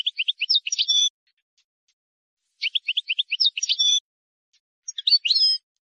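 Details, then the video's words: Wild European goldfinch song for tutoring young birds: three rapid bursts of liquid twittering, each ending in a buzzy, rolling flourish, separated by brief pauses and free of background noise. "غناء حسون بري خالي من الاخطاء لتسميع الفراخ"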